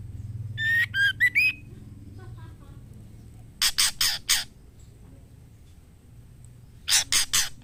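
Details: A female white-rumped shama calls to attract a male for mating, giving a quick run of four whistled notes ending on a rising slur, then two separate groups of four loud, harsh, scratchy bursts.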